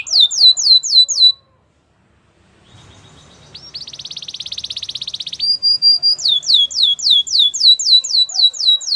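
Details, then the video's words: Canary song: quick falling sweeps, a pause of near silence, then a swelling buzzy trill, a brief steady whistle and renewed rapid downslurred notes repeated about four per second. "All the canaries will sing a long | Canary singing birds sounds at its best"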